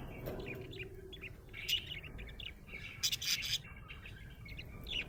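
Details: Happy budgie giving scattered soft chirps, then a loud burst of harsh, buzzy chatter in the middle, followed by quieter warbling notes.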